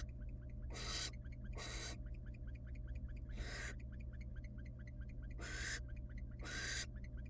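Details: Female barn owl feeding her nestlings rabbit in a wild nest box; the young give loud harsh hissing screeches in pairs, with faint rapid ticking in the background and steady low hum.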